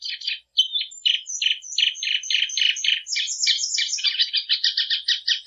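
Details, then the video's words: Plumbeous seedeater singing a clean, noise-free song: a steady string of rapid, buzzy chirps at roughly three per second, then high thin whistles, closing with quicker rising trills. No other sounds are heard. "Canto da patativa"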